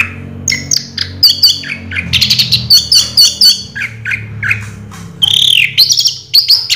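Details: 'Raja Teler' song of an orange-headed thrush, a varied, busy stream of sharp chirps, squeaky whistles and slurred notes delivered almost without pause, with a soft low hum behind.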